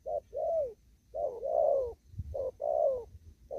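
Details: Cooing from a spotted dove in an upland field, in the 'đồng thúc gù' style: short clipped coos, each followed by a long mellow falling coo, repeated three times with soft low background noise.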